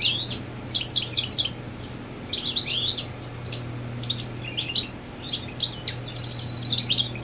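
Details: Goldfinch male defending territory with his mate on the nest, delivering quick liquid twitters and sharp high notes in phrases of one to two seconds, ending in a fast buzzy trill, with a faint constant hum beneath.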